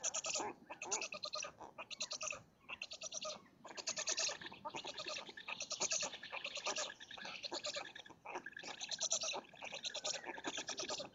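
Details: Black stork nest near Lodz, Poland, shortly before six in the morning in late May 2017, as the male arrives with food for the chicks and female. Long run of harsh, rasping pulsed calls, repeated in quick bursts with brief pauses.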